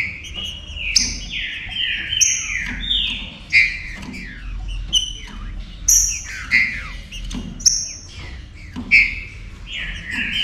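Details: Green-winged saltator warm-up song meant to make other saltators active: repeated clear whistled phrases gliding downward with crisp high notes, roughly twenty phrases a minute, loud and continuous.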